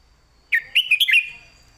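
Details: Red-whiskered bulbul in a cage singing a crisp southern-style master phrase for song training: one rising note then four rapid, liquid whistled syllables close together, delivered cleanly against near silence.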